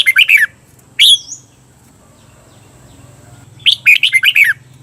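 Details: Thai cage-bird training recording of red-whiskered bulbul song in the doubled 'beun' style: a short warbled phrase, a lone upslurred note, a quiet pause, then a longer phrase of quick chattering notes, with low hum behind.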